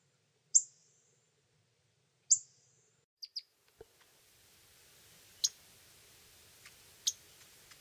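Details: Begging from Pyrrhuloxia chicks being fed by their father, who takes food from a hand, in Terlingua, Texas; two sharp, high, thin calls, then soft clicks and a few scattered faint high notes over light background hiss.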